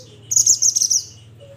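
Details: Mountain mantenan, the Pied Bushchat, calling its companions in a single rapid, high, buzzy chattering trill lasting under a second, over a faint low hum.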